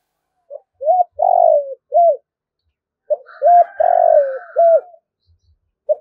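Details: Spotted dove calling in the 'thúc' style meant to lure wild birds to come and fight: a low phrase of short and arched coos around one long falling coo, repeated twice, with a faint higher hiss during the second phrase.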